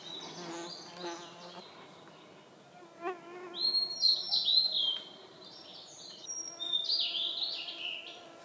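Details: Wild blue-and-white flycatcher in Khingan State Nature Reserve, Amur Oblast, Russian Far East. Two rich, high, slurred warbling phrases come a few seconds apart, after lower harmonic calls from another bird at the start.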